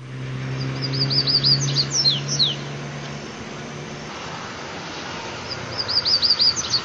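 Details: Rusty-collared seedeater singing in the mateiro song style: two bursts of quick, high whistled notes ending in sharp downward slurs, separated by a pause, over a steady low hum and background noise.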